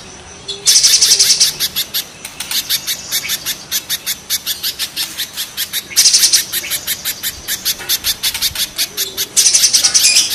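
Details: Harsh rough calling from a mountain spiderhunter and a banana spiderhunter: a brisk, even run of shrill high ticks, with louder rattled bursts recurring about every four seconds.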